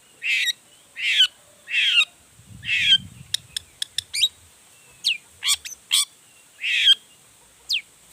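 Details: Long-tailed shrike in excited song aimed at stirring rival shrikes: harsh buzzy notes alternating with quick sharp clicks and upslurred whistles, and a brief low rumble midway.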